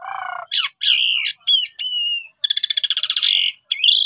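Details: Loud Asian pied starling song for training other starlings: low buzzy notes, squeaky slurs, a high whistle, then a rapid rattling pulsed series and a final rising screech.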